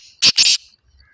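A black francolin gives two loud, harsh, grating notes in quick succession, the second longer than the first, then a quiet background.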